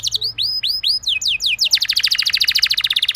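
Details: Canary song used as a lure to prompt other canaries to sing: a run of arched whistled notes, then a fast buzzy trill of rapid repeated high notes.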